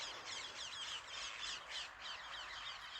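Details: Wild parakeets screech from the treetops on an afternoon walk in the village of Yavne'el, Galilee, Israel: harsh, high, rasping calls tumbling over one another several times a second, with no pause across the whole stretch.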